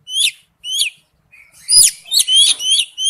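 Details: Oriental magpie-robin with wild-type song, two clear downslurred whistles spaced apart, then a denser burst of overlapping high slurred notes and sweeps.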